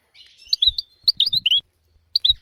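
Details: European goldfinch singing, from a tutor recording for young goldfinches and canaries. Short bursts of bright high chirps and slurred notes come in three quick clusters separated by brief gaps.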